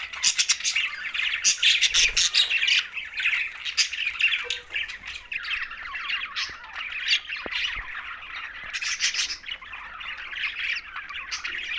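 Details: Green budgerigars in a group give a busy, overlapping chorus of rasping squawks and rapid chirps, loudest in the opening two seconds and again around nine seconds.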